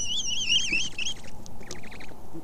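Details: Great horned owl pair mating at night under a mostly full moon on 7 February, days before nest selection: a high, wavering squeal for about a second, then a quick run of short rising-and-falling twitters, over a steady low rumble.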